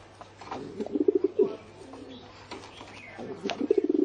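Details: Brief, softer pigeon coos: short bursts of low pulsed notes near the start and end, separated by a quieter stretch with faint background sounds.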